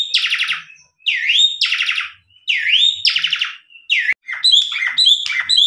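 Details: Asian pied starling, a tame bird singing loudly to lure other starlings into answering: harsh buzzy bursts alternate with rising swooped whistles, then a run of sharp chattering notes; no other sounds.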